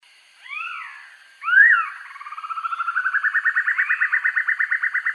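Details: Banded broadbill, a recording used as a master for training birds: two slurred whistles, then a loud upslurred note, leading into a rapid pulsed trill that speeds up, rises slightly and grows louder.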